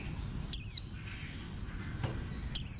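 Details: High, thin chirps from a warbling white-eye, each a quick falling slur, two heard two seconds apart against a continuous hissing background.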